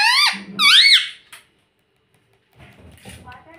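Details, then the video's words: A parrot that talks, reportedly saying "mummy" and "papa", utters two loud, squeaky, wavering syllables. Near-silence follows, then faint low background murmur. "Parrot talking mummy Papa || Talking parrot"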